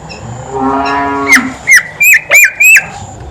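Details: Horsfield's babbler: a low nasal droning note gives way to five loud, ringing whistled notes with quick pitch sweeps, delivered at an even pace with short silences between them.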